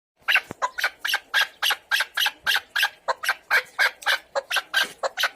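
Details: Chukar partridge calling in a fast series of harsh, clipped chuck notes, about three and a half per second, slightly uneven in timing, in a quiet setting with no other clear sounds.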